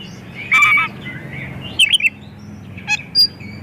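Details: Oriental magpie-robin, a persistent singer with a richly filled song, used as a lure for others of its kind. A rasping buzzy note, a warbled whistle, then a brief chatter and two sharp high notes, over low hum.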